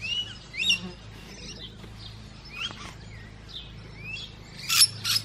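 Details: Musk lorikeets feeding chatter with overlapping high, thin chirps and short shrill screeches, ending in two harsh, rasping bursts over a faint low hum.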